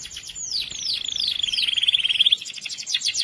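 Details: Canary in morning song, meant to get non-singing canaries going: a series of four descending slurred whistles running into a fast even trill, followed by softer quick repeated notes.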